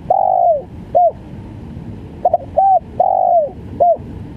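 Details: Spotted dove (tekukur) in the gagap full stuttering style: a long, mellow coo falling at its end, then a short hooked note, repeated twice, with a stuttered double note between, over a low steady hum.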